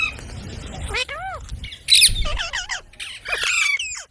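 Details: Parrot imitating human talk: arched, voice-like syllables, then a harsh loud burst followed by a string of quick chattering word-like notes over a low background hum.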